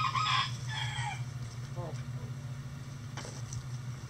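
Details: Chickens in a coop on a sunny day. A couple of harmonic calls open the recording, followed by faint low clucks and soft clicks against a steady background hum.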